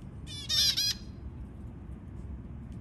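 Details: White zebra finch feeding its newborn chicks: a loud, harsh, nasal burst of rapidly repeated buzzy calls lasting under a second, then quiet with only a low background hum.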